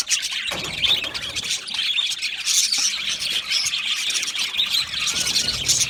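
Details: Budgerigars chattering in an aviary, a loud unbroken mix of high chirps, harsh squawks and warbled notes from many birds at once.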